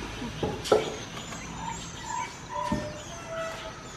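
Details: Chestnut-backed owlet (Glaucidium castanotum) in Sri Lanka on 22 December 2015, giving a short run of soft, hollow, evenly spaced mid-pitched hoots over faint hiss and a couple of thumps.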